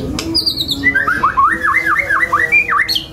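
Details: White-rumped shama singing a fast run of looping whistled notes that swoop down and up, with a few high sharp notes at the start and end, over background music.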